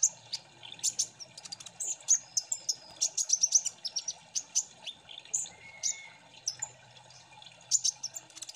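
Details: Lure recording of several Kolibri Ninja sunbirds singing together: dense, high-pitched chirps, squeaky whistles and brief trills in rapid, irregular bursts, with one steadier lower whistle midway; quiet background.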